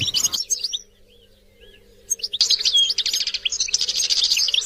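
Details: Goldfinch song meant to stimulate other goldfinches. A short twittering burst cuts off into near silence with a few soft notes, then quick, liquid high chirps resume and run steadily to the end.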